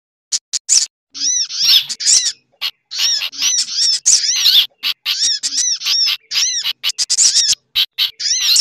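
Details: Little spiderhunter giving busy, high-pitched chirps and sharp arched notes in rapid, agitated bursts, edited together with a sooty-headed bulbul's chattering and other sunbird-like birds as a lure recording.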